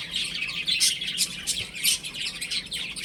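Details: Baby chickens playing at home, giving a dense chorus of high, overlapping peeps that rise and fall in quick bursts roughly every half second, with no other clear sounds.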